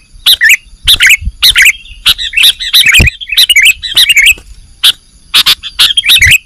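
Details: ['Bird-trapping lure of a sooty-headed bulbul: chirpy, gurgling notes in steady short phrases roughly every half second, with a soft hum and occasional low knocks.']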